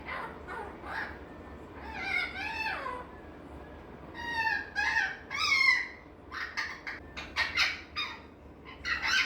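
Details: Rio, a young male green eclectus parrot sitting relaxed in his cage indoors, quietly chatters to himself in high, wavering, whiny notes that rise and fall like crying, with short squeaks between; this is self-entertainment, not distress.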